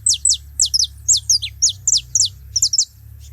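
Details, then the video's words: Saffron finches together at a feeding spot: loud, high, steeply falling chirps delivered in rapid clusters of two to four, repeated steadily for over three seconds, with a faint low hum underneath. "Canário da terra junto fazendo barulho na seva"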